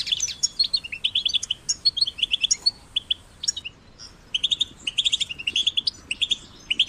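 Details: Caged or wild European goldfinch chicks, used to encourage singing, deliver rapid tinkling chirps and buzzy twitters in two long bursts separated by a short quiet pause.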